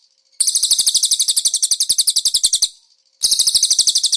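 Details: Master training song of a konin with cililin-style filling: a long run of fast, evenly spaced high chattering notes, then a brief gap and a second run.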